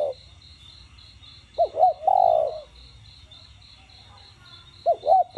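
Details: Spotted dove in the đồng gù and thúc voice, played to rouse captive doves. After quiet, two short hoots lead into one long, low coo, and a fresh pair of hoots starts near the end. An even, high, pulsing chirp sounds throughout.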